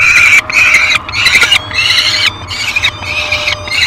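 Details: Peregrine falcon at feeding time on the nest, filmed on a live nest cam on 15 July 2021 as a small yellow bird is brought for breakfast; loud, harsh, squealing calls repeated in rapid bursts with brief pauses, over a low background hum.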